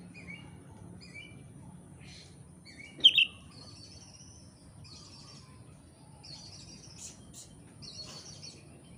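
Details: Oriental magpie-robin, Indonesian training song for kept birds: sparse high whistled notes and short trills spaced over several seconds, one louder harsh burst near the middle, against a quiet background hum.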